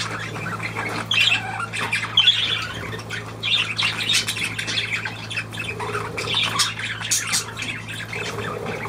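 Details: Budgerigars keep up a scratchy, twittering chatter with sharper squawks near the start and a few short lower tones, above a steady low hum.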